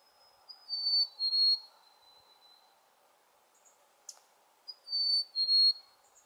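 A Black-capped Chickadee gives its clear two-note whistled fee-bee, a higher note then a lower one, twice about four seconds apart over a soft background hum.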